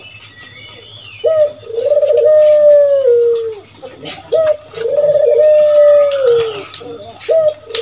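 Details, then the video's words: Barbary dove (burung puter) recorded as a lure call, giving two low coos, each a short note then a long rolling purr dropping at the end, over a steady high insect trill and faint chirps. "Suara Burung Puter Masteran || suara pancingan jamin gacor"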